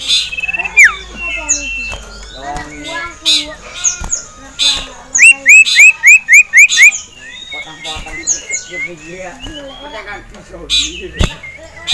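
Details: Caged male ashy tailorbird, worked up by a rival and a female, gives busy chattering, then a run of about seven loud, evenly spaced upswept notes, then more mixed twittering.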